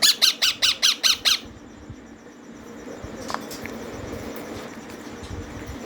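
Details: Feeding time for green ringneck parrot chicks: a fast burst of seven scratchy, rasping squawks, closely spaced, then low background hum and soft rustles.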